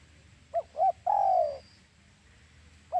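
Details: Spotted dove call used as a trapping lure: two short notes followed by one long, slightly falling coo, then a single short note after a pause.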